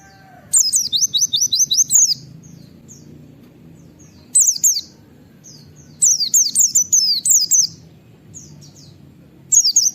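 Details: White-eye in the wild 'ngalas' style, firing off 'wit wit' notes used to set other white-eyes calling. Bursts of high, sharp, downslurred whistles come in clusters separated by several seconds of quiet, with faint chirps between.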